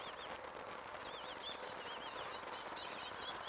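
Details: One-week-old chicks calling while being fed: thin, wavering, high chirps that slide up and down, overlapping and repeated throughout, over a steady hiss of background noise.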